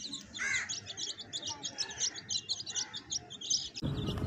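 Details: Several baby chicks near a hen keep up a continuous stream of high, thin peeps, and a lower, softer note comes in early on; a burst of noise closes the recording.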